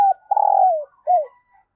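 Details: Female dove calling to rouse males: a short coo, then a long buzzy, throbbing coo that drops in pitch at its end, followed by a clipped falling coo, all in a quiet setting.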